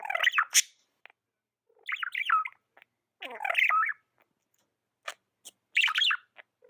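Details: Pet budgerigar producing bursts of rough, warbling chatter and squeaky chirps, with short clicks and ticks between the bursts.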